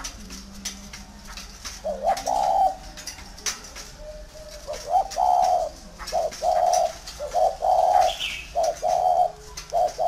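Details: Large tame spotted dove repeats low, hoarse cooing notes in quick succession, a steady pattern of short-long coos near one per second in the second half. A faint higher bird chirp rises briefly behind.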